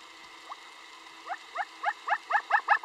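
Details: Snowcock (snow chicken) at Gokyo Ri, Sagarmatha National Park, Nepal: a rapid series of about ten clipped, whistled notes, each sliding upward, roughly four a second and growing louder, over a faint windy hiss.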